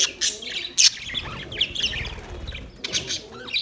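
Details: Budgerigar colony in a parrot colony setup: sharp, clicky high chirps and warbled squeaks from several birds, a few loud piercing notes standing out over steady mid-level chatter.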